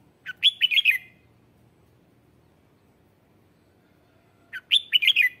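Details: Lure red-whiskered bulbul singing to attract wild white-cheeked birds: two short phrases of fast, bright warbled whistles, about four seconds apart, in otherwise still surroundings.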